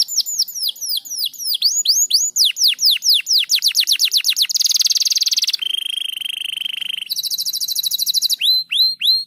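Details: Singing crested canary, gacor rapat style: a series of swooping down-slurred whistles quickens into a thick buzzy roll, shifts to a lower steady trill and a high rattle, then ends with swoops.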